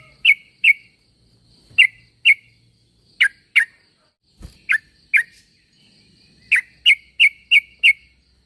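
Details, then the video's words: Sooty-headed bulbul summoning other bulbuls to answer: bright, clipped chirps in pairs and a closing run of five, steady and evenly spaced, with one low thump midway. "Suara pangilan burung trucuk.semua trucuk pasti nyaut dengar suara trucuk ini"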